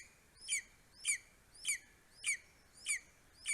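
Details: Greater spotted eagle in Estonia, a male bringing vole and bird prey to his four-week-old eaglet, 9:02 am, 2 July 2020: six sharp, high yelping notes with rising harmonics, evenly repeated about every 0.6 seconds.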